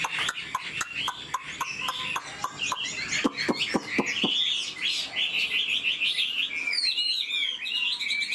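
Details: Chinese hwamei, an old bird caught from the wild and kept caged, sings over a run of sharp regular clicks, then pours out fast, varied whistled phrases with twisting slides.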